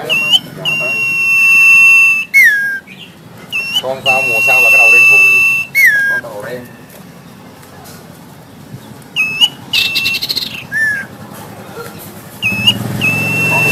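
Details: Black-headed sibia, a kept bird, singing steadily while puffing up: long level clear whistles alternating with sharp downslurred notes, repeated several times, with brief chattering phrases between. A faint low rumble enters near the end.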